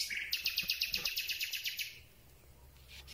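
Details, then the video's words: At night a Common Nightingale sings close to a boom-mounted microphone: a fast, even rattle of about thirteen sharp notes in under two seconds, then near silence. "Słowik Rdzawy piękny śpiew"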